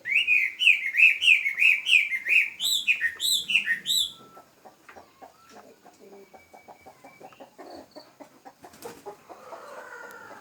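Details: Captive songbird giving a rhythmic series of arched whistled notes, about three per second, then a faster string of higher descending notes. The song stops after four seconds, leaving soft tapping and clicking noises.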